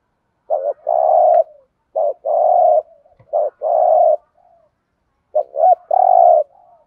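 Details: Spotted dove giving a 'thúc gù' coo in the 'Thổ' voice style, used to lure birds for trapping: a short double note, then a long, even, low coo, repeated three times with quiet gaps between phrases.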